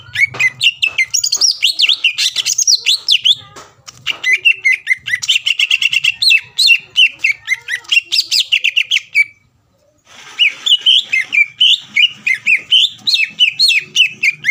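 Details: Greater green leafbird singing to provoke a rival into calling: rich, varied whistled phrases with rapid chattering trills, continuous for nine seconds, then a brief pause before more jumbled, warbling notes resume.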